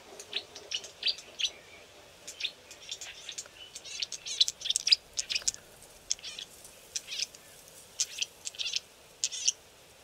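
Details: Several unseen green-backed camaropteras in thick bush on a river bank, possibly young birds learning to vocalise, give sharp, high chips and short ticking notes in irregular bursts, sometimes clustered and overlapping.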